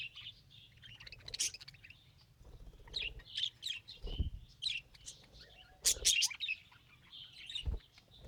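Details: Pet budgerigar trying to talk: busy warbling chatter of high chirps and scratchy notes in bursts, with short louder squeaky clusters near the end and low thumps between.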